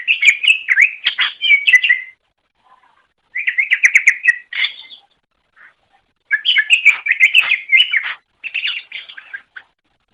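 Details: Greater green leafbird (cucak ijo) singing in a master recording made to train caged songbirds: long, rich bursts of fast, chattering, warbled phrases, mixing sharp high ticks with slurred whistles, split by brief pauses.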